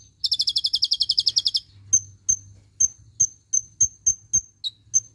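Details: Van Hasselt's sunbird, known locally as kolibri ninja, giving a tembakan cililin fill used to train songbirds: a fast run of a dozen buzzy trilled notes opens, followed by sharp, very high, evenly spaced tsip notes.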